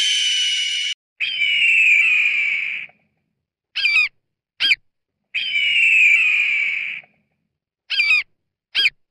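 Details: A goshawk gives long, hoarse, high screams lasting nearly two seconds, each followed by two short harsh notes; the pattern comes twice; finding: Hawk.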